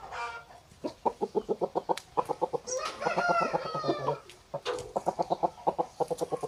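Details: Roosters and hens at a chicken farm, with fast rhythmic clucking in series, a hoarse rooster crow in the middle, and more clucking runs afterward.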